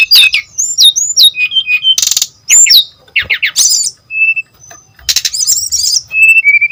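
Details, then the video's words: Lively brown-chested jungle flycatcher song meant to lure and tutor young untrained birds: short high whistled phrases, buzzy bursts and quick chip series, broken by brief silences, with steady pure whistles near the end. "SRDC MANAPUN IKUT GACOR.!! DENGAR SUARA SRDC GACOR INI PANCINGAN JITU MASTERAN SRDC BAHAN"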